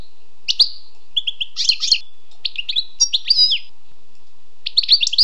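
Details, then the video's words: Wild European goldfinch song of bright, liquid twitters broken into short separate phrases, some with clipped tinkling notes, others slurred and buzzy, with brief gaps between bursts. "Écoutez et appréciez le doux chant du chardonneret sauvage"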